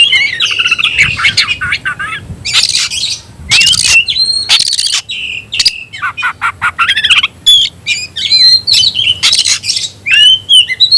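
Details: Oriental magpie-robin (kacer) kept in a cage, singing tayoraky style: long energetic medley of whistled slurs, harsh broadband rasps and quick trills, repeated in dense bursts with brief gaps.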